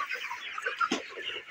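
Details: Broiler chickens, 29 days old, on a poultry farm; a dense chorus of overlapping peeps and clucking chirps from many birds at once, with a few louder sharp notes.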